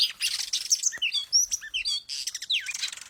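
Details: Oriental magpie-robin song used as a lure recording: a dense, fast run of varied high chirps, sharp whistles and downward-sweeping slurred notes. The bursts come in quick succession with only brief gaps.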